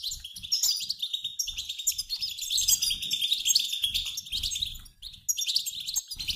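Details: European goldfinches, a mixed flock of males and females, twittering together like a flying flock, used to prompt males to sing; dense continuous high chirps and buzzy trills overlapping without pause, with faint low thumps beneath.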